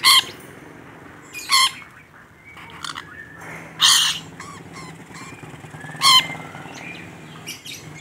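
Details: Rainbow lorikeet, a very vocal bird, giving scattered harsh squawks every second or two, mixed with soft chatter over a noisy background hum.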